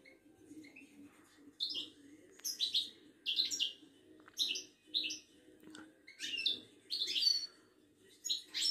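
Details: Moroccan European goldfinch, a Wydani-type songbird kept by breeders, recorded at a bird market in Casablanca; bursts of high twittering and buzzy notes repeated about every second, with a low hum beneath.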